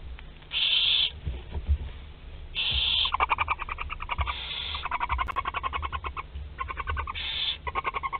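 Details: Barn owls in a French nest box at Théding, 27 April 2021, with living prey: loud harsh hisses alternate with rapid trains of dry clicking chitters, repeated several times.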